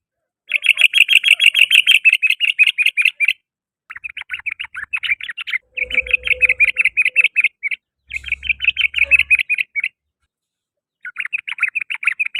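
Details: Afternoon song of a sooty-headed bulbul: long bursts of fast, rattling chatter in several runs separated by short gaps, with a faint low hum in the background.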